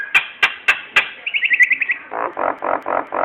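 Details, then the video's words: Nias hill myna song used as a lure to prompt other birds into singing: four sharp clicks, then a rapid run of high buzzy notes, followed by repeated harsh, broad rasping bursts. "Suara kicau burung jalak nias cocok untuk pancingan"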